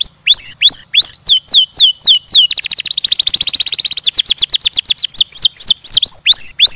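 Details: Canary singing: evenly spaced rising-then-falling whistles, then a very fast buzzy trill, then slower downward-sweeping whistled notes repeated several times a second.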